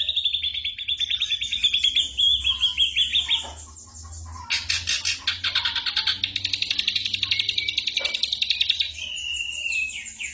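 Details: Ashy drongo mimicking gunshots and other birds' voices, used for training songbirds; a long rapidly pulsed whistled trill, a loud harsh buzzy burst, then sustained fast chattering and a closing slurred whistle.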